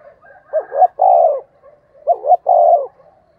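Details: Spotted dove used as a decoy, calling to provoke wild doves: two deep coo phrases, a pair of short notes leading into a sustained mellow note, over faint soft background cooing.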